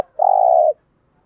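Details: ["A single spotted dove coo, one sustained, even, low hum-like note about half a second long. The coo is in the 'gù thúc' style, played to lure wild doves."]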